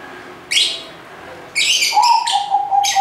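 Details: Lovebirds giving loud scratchy, descending screeches followed by a series of shrill chirps over a steady mid-pitched whistle.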